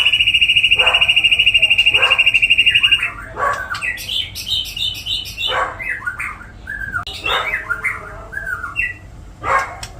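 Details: White-rumped shama singing cililin, jenggot and kapas tembak material: a fast, even high trill for three seconds, then varied short whistled phrases and slurs broken by sharp clicks.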